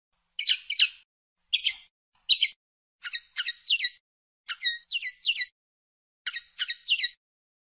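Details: Common linnet (pardillo or pajarel) song: clusters of two or three rapid twittering chirps, separated by brief gaps, about seven groups in succession, clean with no background.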